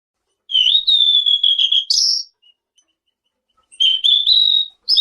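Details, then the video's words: Selendang biru song used as a lure to make other birds answer: a long high whistled phrase with a fluttering tremolo, a sharp upward flick, then a pause and a second similar phrase. "Suara burung SELENDANG BIRU GACOR"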